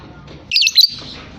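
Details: Young caged lovebird, described as chatty and vocal, giving a quick burst of bright, high twittering chirps lasting under half a second, then quiet.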